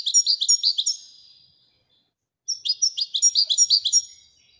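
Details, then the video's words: Widania-style singing from a Moroccan European goldfinch: a quick run of high ringing chirps fading away, silence, then a second, longer rhythmic run of bright twittered notes. "الحسون المراكشي لغة الويدانية"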